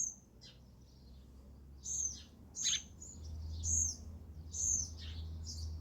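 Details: Sparrow at a feeder, calling with short, high, bright chirps that come in bursts about once a second, some with a quick downward slur, over a steady low hum.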